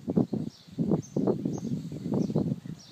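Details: Mother duck with her ducklings on a lawn: a run of low, soft, rapid quacking pulses, several each second, with faint thin high peeps from the ducklings above.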